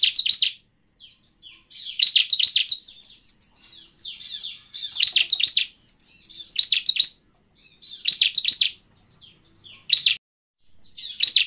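Bar-winged Prinia giving bursts of high, thin, rapid chirps and trills, repeated in quick runs with short pauses between.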